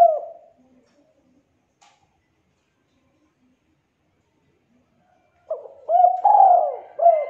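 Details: Thick, clear "culhu kuk" cooing of a spotted dove, a contest-bird training recording: a fading coo at the start, a long silence, then one full phrase of short coos around a drawn-out, slightly falling central note.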